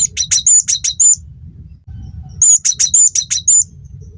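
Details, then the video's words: Cinereous tit (gelatik batu), recorded as a training track to teach other songbirds and provoke them to sing, gives two fast phrases of piercing high chirped notes, each about a second long, with a low hum underneath. "masteran burung gelatik batu gacor pancing bunyi"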